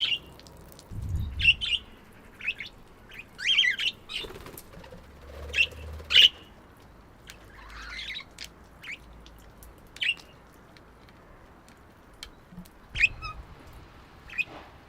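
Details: Budgerigars give short, sharp chirps at irregular intervals, with soft fluttering between calls.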